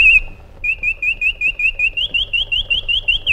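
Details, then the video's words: White-eared bulbul singing: a brief high note, then a fast series of short, bright, slightly rising whistled notes repeated at an even pace, growing a little higher toward the end. "Magnificent Harmony by an Iraqi Bulbul"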